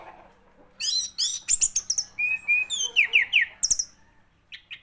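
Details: Song of an orange-headed thrush made of crisp, high, descending whistles and chirps in quick succession. Clear sliding notes are repeated two or three times at a time, ending with softer twitters.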